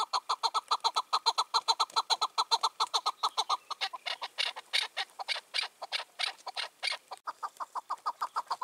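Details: Free-roaming wild chukar partridge, aged five or six, that dominates its area and silences rival males, heard one June 2023 evening: rapid evenly spaced chuck notes that turn harsher and rougher midway before settling again.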